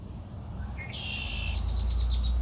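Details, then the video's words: Red-winged blackbird near the beach at Rehoboth, Delaware, loud and close: a brief clipped note, then a long buzzy trill that fades into quicker repeated pulses, over rising low rumble. "Red-winged beach bird sounds"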